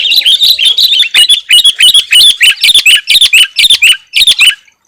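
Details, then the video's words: Sooty-headed bulbul in full voice, its song said to pull in wild birds and anger rivals: a lively series of sharp, sweeping whistled notes in quick succession, rising and falling, with a brief pause near the end. "suara kutilang gacor 💯 dapat memancing emosi lawan si burung⁉️Pycnonotus aurigaster"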